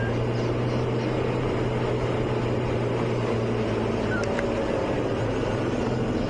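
A safari vehicle's steady engine drone fills the recording at sunset, with a constant low hum and broadband rumble and no animal voices.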